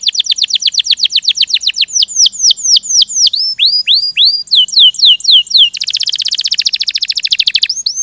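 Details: Canary song in a rolling style: fast series of downward-sweeping whistled notes, then varied phrases of slurred notes, ending in a dense buzzy trill, repeated at about four notes per second.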